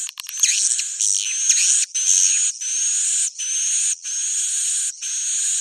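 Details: Swiftlet roosting call opening with a few sharp clicks, then loud buzzy chattering bursts about a second long with short gaps, a faint whistle inside.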